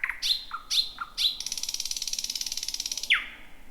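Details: Season's first thrush nightingale, 2026, singing near midnight in a jungle-like thicket: three swooping notes followed by a long, fast, even rattle of ticks and a falling end note.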